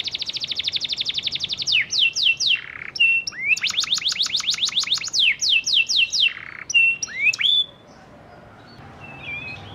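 A canary sings a fast, rolling song of rapid trills, sweeping whistled notes and buzzy bursts, changing phrases every second or so, ending in soft chirps.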